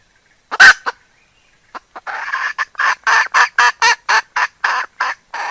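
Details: Decoy hen opens with a loud harsh squawk, then breaks into a fast, steady run of clipped clucks, roughly four per second.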